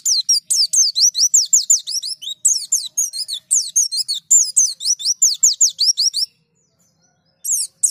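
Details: A caged white-eye (pleci), used as a lure to get other birds singing, sings a fast, unbroken run of high, thin, rising chirps and twitters for about six seconds, then falls silent before a last brief burst.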